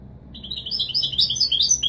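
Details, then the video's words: A short phrase of European goldfinch song in the Wīdānī Marrakchi style, used to teach young birds: quick, thin twittering notes that climb and grow louder. "الحسون الكوبرية للأخ أحمد تغريد الويداني المراكشي الأصيل"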